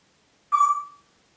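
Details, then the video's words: Congo grey parrot, a household pet in Diebach near Hammelburg, Germany, April 2012, giving a single clear steady whistle lasting about half a second, fading at the end, with nothing else audible. "Kongo-Graupapagei pfeift pfeifen"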